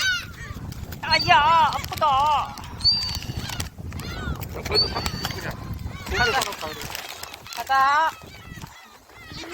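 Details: Several gulls on Jebudo being fed shrimp snacks give loud, wavering, nasal cries in clusters, some sharp and rising, mixed with human voices and chatter.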